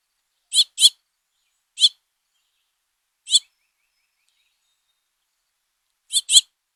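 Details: Male house finch and fledglings at a feeding scene, recorded by trail camera: short harsh chirps, some in quick doubles, at irregular gaps of one to three seconds against near silence.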